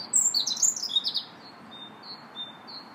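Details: Robin singing in a park on March 2nd: a short burst of high, varied warbling twitters, followed by thin repeated notes from a quieter bird in the background.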